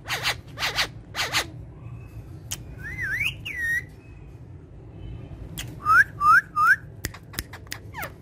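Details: Parrots at play on a woven charpai: several harsh squawk bursts, a quiet pause, then two twisting whistled phrases and three short upswept whistles in a row, followed by scattered clicks.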